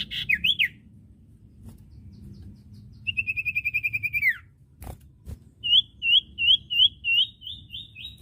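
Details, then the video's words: Common iora on a caged-bird training recording: a few looping whistles, a long buzzy trill sliding downward, then a tidy series of seven curled whistled notes. "masteran burung cipoh bahan II masteran cipoh sirtu bahan"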